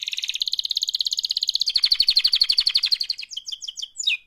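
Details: Active canary in mating call song, a sustained rapid trill of high pulses that drops slightly in pitch midway, then breaks into separate sharp descending whistled notes.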